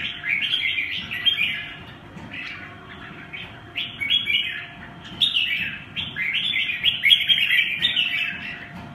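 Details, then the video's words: Red-whiskered bulbul singing: bright warbled phrases, rising and falling, repeated in quick bursts over a steady background hum with a faint low-pitched murmur. "Mào cui"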